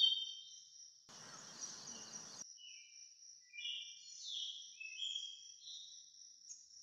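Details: Brahminy starling, also called brahminy myna, seen from a window; short chattering and squeaky notes around mid-high pitch in the latter half, preceded by a brief burst of broadband noise, over a steady high insect-like hiss throughout.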